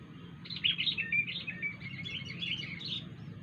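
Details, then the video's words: Wild sooty-headed bulbul giving an odd, unusual call: a chattering run of bubbly, slurred chirps that rise and fall, packed closely over about three seconds, with a low steady hum underneath. "kutilang liar suara Aneh"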